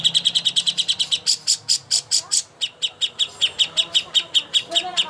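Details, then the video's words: Greater green leafbird master song for contest birds: rapid series of sharp, high chipping notes repeated about two to three times a second, a brief burst of higher ringing notes midway, steady rhythm throughout. "masteran ampuh untuk burung cucak hijau Lomba"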